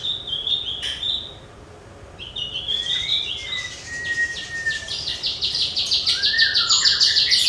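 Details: Javan bush lark song used as a training recording for other songbirds: high thin whistles, a long falling slur, then a fast buzzy rattling trill of rapid repeated notes that grows louder toward the end.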